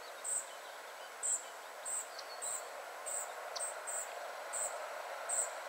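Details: Spotted flycatchers, a family group, calling at 51.943564, 20.122272: sharp, high-pitched notes repeated roughly every half second to second, a couple of lower tick sounds between them, all over steady outdoor hiss.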